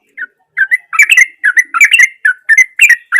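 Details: Gusty, natural song of a sooty-headed bulbul intended to make a silent bulbul sing: after one opening note, a rapid sequence of rich liquid whistles and warbles, repeated in quick succession.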